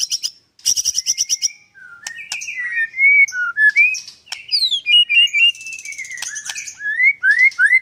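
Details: White-rumped shama singing 'nembak' at a Kendal bird farm in Indonesia: a burst of fast high notes, then a string of clear rising and falling whistled phrases with sharp clicks between.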